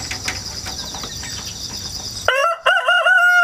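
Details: Rooster hatched indoors at home and raised in the countryside, crowing repeatedly, recorded 1 September 2019 with a GoPro and wireless mic on a ladder; steady insect chirring fills the first two seconds, then a loud, harmonic, drawn-out cock-a-doodle-doo.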